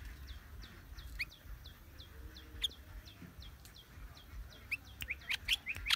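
Sooty-headed Bulbul: quick, high, down-slurred notes about three per second, then louder bubbly chirps near the end, over a low background rumble.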